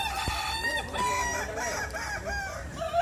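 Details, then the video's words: Kukuak Balenggek roosters at a crowing contest in West Sumatra. A long stepped crow with several rising and falling segments stands out over other overlapping crows and steady crowd murmur. "Lomba Kontes Ayam Kukuak Balenggek, Suaranya Bikin Kagum"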